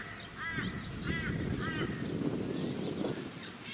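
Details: Australian wood duck (Chenonetta jubata) at a small artificial lake on the Sunshine Coast, Queensland, in February 2018, giving three nasal, mewing calls about half a second apart over wind, suburban rumble and a thin high whine.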